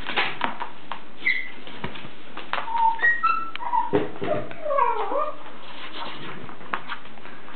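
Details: A pet blue-and-gold macaw at play gives soft squeaks, short whistles and a few falling, whiny notes, mixed with clicks and low thumps in a quiet room.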